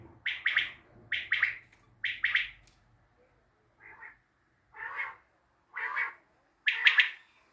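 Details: Three clipped triple-note calls from a common quail in Tajikistan, then a pause, four softer, hoarse single notes, and a final loud triplet.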